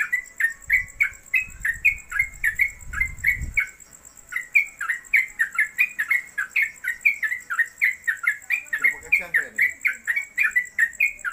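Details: Yellow-vented bulbul (trucuk), caged at home, singing a long ropelan run. Quick, warbling, slurred notes continue without pause, with low rumbling handling noise in the early seconds, a short harsh burst later and a constant high whine.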